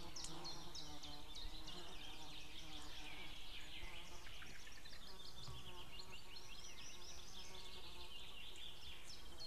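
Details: White-tailed eagles, female and distant male both calling outside on 2 May 2016 at midday; long bursts of rich, harmonic yelping notes repeated rapidly, over continuous low-frequency noise.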